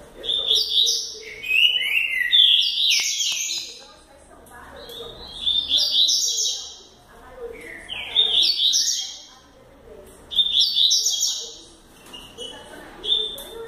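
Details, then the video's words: A double-collared seedeater, seen as a future speed-singing champion, sings quick, bright, high twittering phrases in bursts every two to three seconds, with faint low murmurs in the background. "coleiro futuro campeao velosista"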